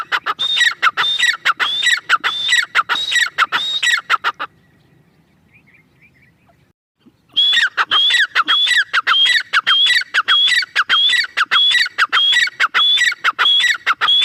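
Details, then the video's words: Female grey francolin (teetar) gives loud, harsh, ringing notes in fast repeated bursts, several each second, broken by one brief silent pause. "female teetar sound"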